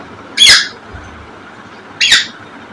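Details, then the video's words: An African grey parrot (Psittacus erithacus) gives two short, harsh, bright squawks about a second and a half apart, with quiet room noise between them. "African Gray Parrot || BIRD SNINGING"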